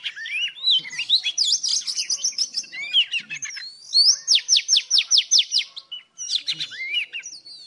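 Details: Old wild Oriental magpie-robin singing in the morning: varied whistled phrases with quick rising and falling notes, then a rapid series of about ten sharp repeated notes, followed by more twisting whistles.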